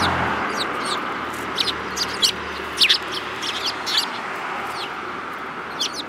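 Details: Sparrows chirping repeatedly, bright short notes in quick irregular bursts over a broad rushing background noise.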